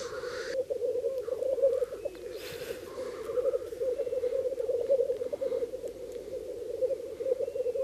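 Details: Many black grouse cocks at their lek on Bažu bog in Slitere National Park, gathered in early spring to mate and guard territories: unbroken low bubbling cooing, with a sharp hissing sneeze early on and faint higher calls.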